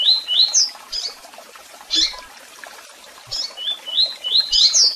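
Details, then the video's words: A Double-collared Seedeater gives high, thin, rising chirps in quick bursts of two to four notes, with short pauses between, against a faint background hiss. "Canto de Coleiro Tui Tui Com Piado e Chamados"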